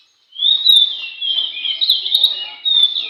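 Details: Oriental magpie-robin singing at a bird contest: a rich, rapid, high warble that runs nearly unbroken, with quick twittering phrases and short pauses.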